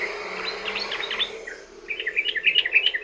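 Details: Sooty-headed bulbul song used to lure other bulbuls into singing: bubbly, warbled phrases of short chirping notes, a brief softer patch then a livelier run of rapid bright chirps, over a steady low hum.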